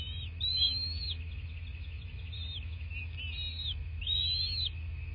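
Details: Bald eagle at its nest in a quaint southwest Florida landscape, nest camera, 26 February 2024 around 09:21; high whistled, arched notes repeated in a run of about four, each rising then falling, over a steady low rumble.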